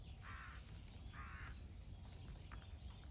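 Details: Two drawn-out, grating caws, about a second apart, from crows facing a hawk on 21 October 2023, over steady background hiss.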